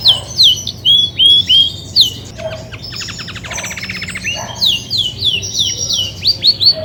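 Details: Grey-and-white female Belgian canary, said to sing a lot when ready to brood, gives bright whistled upslurred notes, repeated in quick runs, broken midway by a rapid rattling trill, then more high sliding whistles.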